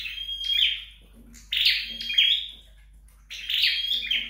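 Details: Flowerpecker being trained at home, giving three phrases: a high whistle with a buzzy tail, then harsh chattering bursts, with faint low knocks in the background.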